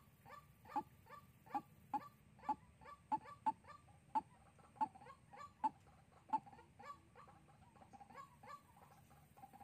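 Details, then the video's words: White-breasted waterhen, a new decoy bird used to lure others for trapping in Soc Trang, 2 February 2021. Sharp, clipped notes sound roughly every half second, then fade into softer, scattered notes near the end. "Bẫy Quốc Mồi Sóc Trăng Ngày 02/02/2021"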